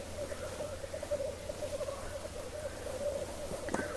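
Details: Lekking male black grouse at 3:30 am by a bog in Hedmark, Norway: an unbroken low rolling bubble of cooing voices with faint higher hissing notes and a sharp snap near the end.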